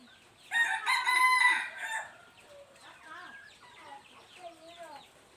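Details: Three-year-old red junglefowl crowing on 26 January 2023: one loud, rasping, buzzy crow of about a second and a half, followed by quieter whistled and chirping calls of other birds in the background.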